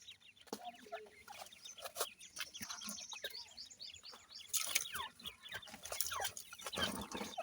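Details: Grey francolin chicks, known locally as Irani teetar, feeding in the morning: dense, rapid high chirps and short peeps overlap continuously, mixed with sharp clicks and pecking taps, with brief louder bursts of broadband noise near the end.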